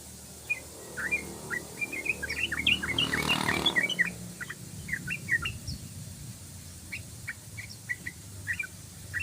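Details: Chattering run of short whistled notes from a yellow-vented bulbul, ropelan style, with a brief broad rushing noise partway through and a low background hum.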